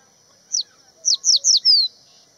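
A Crested bunting sings a short, high phrase of quick down-slurred notes ending in one longer descending whistle, over a faint steady high hiss.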